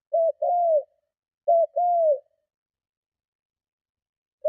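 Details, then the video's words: Spotted dove giving strong cooing meant to lure and provoke other doves; two coo phrases, each a short note then a longer falling coo, about a second and a half apart, in clean silence. "Cu Gáy Hay - Tiếng Chim Cu Gáy Gù Kích Bổi Cực Mạnh"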